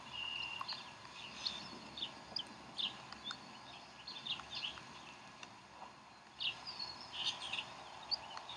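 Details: At the Decorah bald eagle nest during a feeding of the chicks on 04-11-2012, high squeaky chirps come in irregular bunches over a constant broadband hiss.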